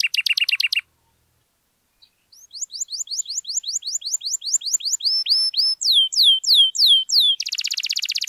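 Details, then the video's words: Canary in extended song used as a prompt for non-singing canaries: a short buzzy burst, a pause, then rising slurred notes building into looping falling whistles and ending in a dense rattling trill. "KENARI GACOR MANTAP DURASI PANJANG, AMPUH BUAT PANCINGAN KENARI DIAM LANGSUNG RESPON"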